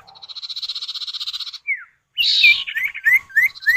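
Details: Male and female common iora answering each other, a lure to set other birds calling: a pulsing buzzy trill, a single falling whistle, then a harsh burst followed by rising whistled notes.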